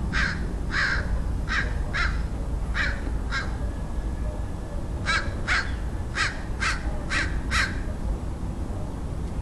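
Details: On 27 February 2009 in San Diego, California, USA, a crow caws repeatedly: about fifteen raspy calls in two bursts, the second faster and tighter. Low rumble fills the background.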